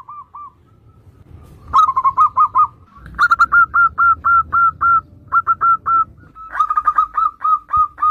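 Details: Zebra dove in full song, kept as a lure bird to stir others to sing: bursts of short, hooked, whistled coo notes, about four per second, delivered in runs of five to eight with brief pauses.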